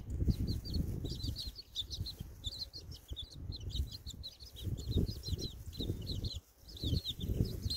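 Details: Chicks outdoors on a windy day: continuous high, thin cheeping in rapid clusters throughout, with strong gusty wind noise underneath.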